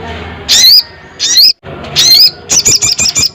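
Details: Crested jay calling a rival with three loud, shrill, quavering whistles. A short burst of five or so rattling pulses closes the sequence.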